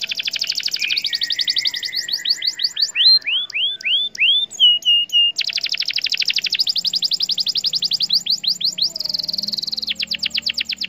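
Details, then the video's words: A canary sings a long, fast, high song of rapid buzzy trills, a run of clear downslurred whistles, then more rattling trills repeated in quick tours, a loud lure song meant to make other canaries respond. "Kenari MANA saja BAKAL LANGSUNG Respon,,!! Dengan Pancingan Kenari Gacor Cuit Cuit"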